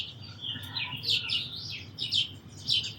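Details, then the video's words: Sparrow chirping in a bird recording, with a rapid run of short, high, twittering notes that rise and fall, and several louder chirps near the end. "Very Beautiful Birds & Sparrows Sounds"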